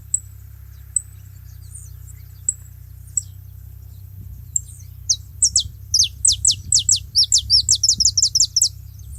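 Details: Saffron finch singing at a feeding spot, opening with sparse thin high chips every second or so, then breaking into a fast run of bright, downslurred, paired notes, over a steady low hum.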